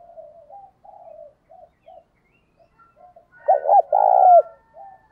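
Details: Caged decoy spotted dove cooing loudly to provoke a wild rival into answering and fighting, in a 'thổ' voice style. Soft, broken low murmurs lead into one strong phrase: two short hoots, then a drawn-out coo that slides down at the end.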